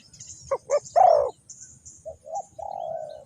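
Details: Spotted dove kept as a decoy for trapping wild doves, Ninh Thuận: a few abrupt clipped notes and a louder burred coo, then soft short coos ending in a long level hum, with faint high bird chirps.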